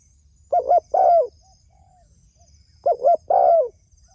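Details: Spotted dove calling its companions with two phrases a few seconds apart, each a pair of brisk coos leading into a drawn, downward-sliding coo. Faint twittering of other birds is heard.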